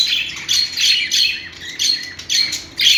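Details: Budgie chirping: short, bright, slightly buzzy warbled notes in a lively series of bursts roughly every half second.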